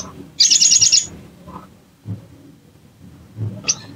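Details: Lure sound of a bar-winged prinia for provoking an untrained bird to open up and sing: one short burst of quick, high pulsed trill lasting under a second, followed by quiet gaps and a lone sharp chip.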